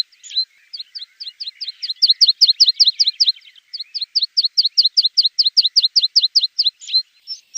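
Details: Javan bush lark song serving as a tutor for cage birds: quick, sharp, downslurred chipping notes delivered in long runs of about two to three per second, with a few brief gaps. Quiet background.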